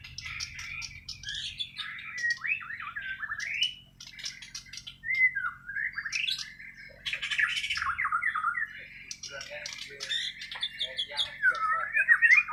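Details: White-rumped shama of Borneo, Kalimantan form, singing its natural untutored song: a long sequence of varied whistles, swooping slurs and harsh chattering bursts with short pauses between phrases.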